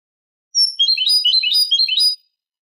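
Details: Eurasian goldfinch song from a tutor recording of the Manolo style, used to teach young goldfinches and hybrids: a fast, jangling run of twittering high notes lasting about a second and a half, clean with no background.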